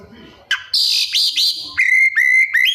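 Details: Kacer, the Oriental magpie-robin, in busy 'isian' song packed with borrowed phrases: a harsh high buzzy burst, two upward-sweeping squeaks, then a run of flat whistled notes with rising flicks.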